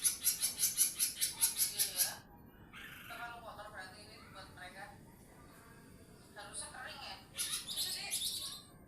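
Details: Small-form lesser green leafbird in full, lively 'nembak' song, offered as a tutor bird: two seconds of rapid, very high, sharply repeated notes, then lower warbled harmonic phrases, ending in another burst of fast piercing notes.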